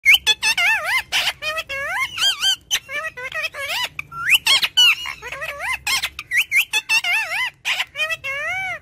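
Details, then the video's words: Talking parrot producing rapid strings of wavy, whistled, speech-like syllables with rising and falling tones, separated by short pauses and sharp clicks. "Cute Talking Parrot | Parrot Talks"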